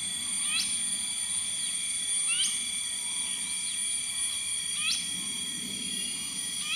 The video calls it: Finsch's Bulbul